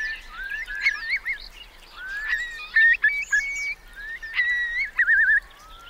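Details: Eurasian curlews, among about 3,000 sheltering in Marquenterre wet meadows at high tide, Bay of Somme, France, 7 October 2021, give overlapping rising whistles and a wavering, bubbling trill near the end, several calls within six seconds.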